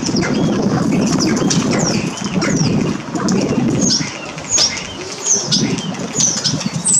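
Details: Common starling at a shopping centre, Amsterdamse Poort, the Netherlands, 7 January 2023, giving high, looping whistles and downslurred squeaks at irregular intervals above loud, constant crowd and urban background noise.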